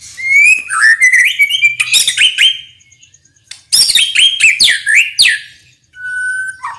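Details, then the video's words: Powerful White-rumped shama song with mixed phrasing, used to spur other shamas: fluid rising whistles and a ringing trill, a near-silent break, then dense harsh chatter and a long steady whistle. "SUARA MURAI HATAN MASTERAN ALAMI UNTUK BURUNG - MURAI BATU"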